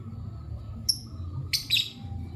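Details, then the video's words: Lovebird uttering a brief thin, high chirp followed by a pair of louder, harsh chirps, with a faint steady tone and low hum behind. "Lovebird Chirping Sounds"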